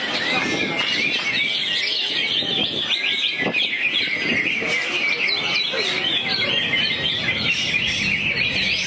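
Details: Greater green leafbird singing while crouched in a 'teler' posture, throwing out varied material: quick rising and falling whistles, twitters and clicks run together nonstop for nine seconds, with some low background noise.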